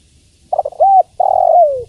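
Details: Female spotted dove calling to the male: a single hoarse cooing phrase, a short stuttered opening note followed by a longer, smoothly falling coo.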